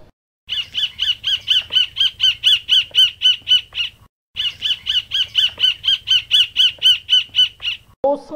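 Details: Roadside hawk (Rupornis magnirostris) in the caatinga gives a laughing call: two long runs of high, nasal, laughing notes, about four per second, each lasting over three seconds. A brief voice is heard at the end.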